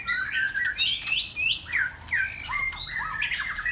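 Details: Saturday-afternoon song of a white-rumped shama, clear whistled phrases with upslurred and downslurred notes delivered in quick bursts, separated by brief pauses, mixed with scratchy, squawk-like sounds.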